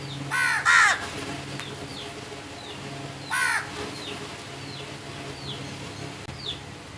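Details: A quick double caw from crows, then another rasping caw a few seconds later, followed by a string of faint, thin descending chirps from smaller birds over a low hum.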